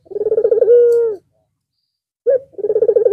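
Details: Barbary dove, white with red eyes, singing again following a long break over Eid al-Fitr: a low rapid pulsing roll merging into a held deep note, a pause, then a short call and another rolling coo.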